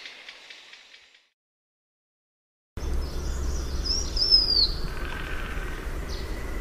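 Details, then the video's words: Faint chatter fades to silence, then a blue-winged minla gives a brief high descending whistle amid loud low environmental noise and a buzzy mid-pitched sound. "Tiếng chim khướu lùn cánh xanh"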